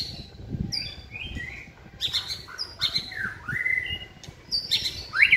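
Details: Captive white-rumped shama singing during a training session with the cage hung on a pole: varied whistled phrases, sharp upward and downward slurs, and harsh notes over steady low background rumble.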